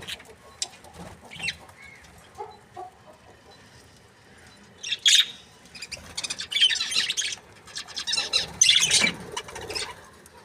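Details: Budgerigars, called happy, begin with soft scattered chirps, then break into louder bursts of high rasping warble in the second half.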